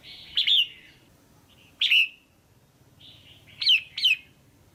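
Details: Calling female red-whiskered bulbul, used to excite a male or to form a pair: a few bright, slurred chirps in small bursts, with a brief quiet pause between groups and a faint low hum behind.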